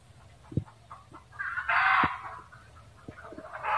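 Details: Red junglefowl giving a loud harsh cackle that swells in the middle, preceded by soft clucks and punctuated by a few dull low knocks.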